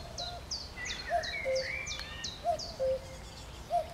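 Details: Common cuckoo recorded 12 June 2020, giving its falling two-note cuckoo call twice in quick succession, while a chiffchaff repeats high, short downslurred notes and another bird sings a rising whistle above.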